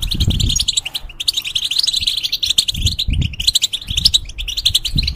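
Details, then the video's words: European goldfinch in a cage, its song used to train young goldfinches and hybrids: quick tinkling chirps and trills poured out almost without a break over soft low thumps. "The Talk And Sounds Of The Goldfinch"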